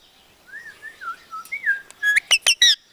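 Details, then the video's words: Punjabi-speaking parrot giving a series of soft gliding whistled notes, rising and falling, that build into four loud, sharp harmonic chirps at the end. "Talking Parrot"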